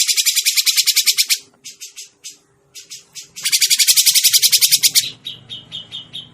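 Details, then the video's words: Grey-cheeked bulbul calling as a trapping lure: rapid grating chatter, a few broken notes, a second chatter run, then softer, clearer repeated notes to finish. "suara pikat burung cucak jenggot masteran burung cucak jenggot"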